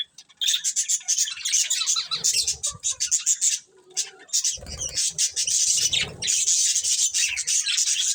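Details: A group of colourful budgerigars keeps up loud, unbroken chirping, harsh warbled squeaks running almost without pause, with a short lull and some low rustling in the middle.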